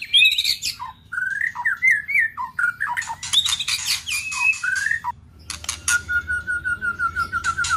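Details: White-rumped shama singing hard to excite a rival: varied whistled phrases and wavering slurs broken by loud clicking chatter, closing with a steady warbling trill.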